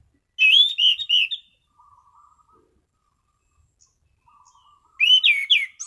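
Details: Orange-sided thrush delivering relaxed, limpid 'ngeplong' song: a phrase of several loud whistled notes, quiet low chattering in the gap, then another bright descending whistled phrase.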